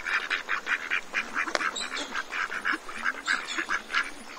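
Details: Ducks at Cambridge, Maryland during a feeding frenzy, giving steady, rasping quacks about twice a second over a busy background of softer calls.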